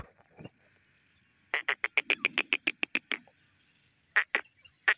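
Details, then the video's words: Female grey francolin, locally called teetar, giving a series of about eleven sharp, rapid, ringing notes at roughly three per second. A pause follows, then three more loud notes; a faint rustle comes early on. "female grey francolin sounds teeter nature sounds"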